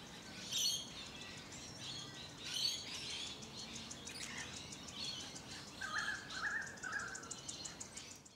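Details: Hunters Hill, Sydney, Australia, late spring 2020: Musk Lorikeets, alongside some Rainbow Lorikeets, give sharp high screeches near 0.6 and 2.6 seconds, then a lower, harsher chattering run between 6 and 7 seconds, against steady suburban background noise.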